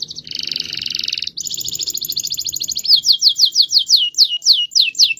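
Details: Caged canary delivering a rolling song, fast buzzy trills at two pitches followed by a rhythmic run of sharply descending whistled notes, about three per second, over faint low background noise.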